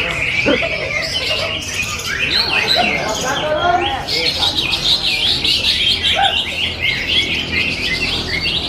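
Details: Greater green leafbird, a market-bought contest bird that won a songbird competition after two months, singing dense varied warbled and chattering phrases with bright high notes throughout, among other birds at the contest and speech nearby.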